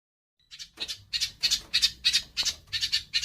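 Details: House sparrows fighting, recorded as a master track for training songbirds: a string of harsh, squawky chirps, about three per second after a short silence, each loud and rasping.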